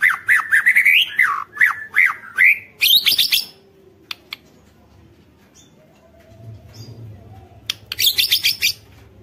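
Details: White-rumped shama singing to trigger other shamas: rapid warbled and whistled phrases, some very high, then a quiet pause with a low hum before a burst of high chattering notes.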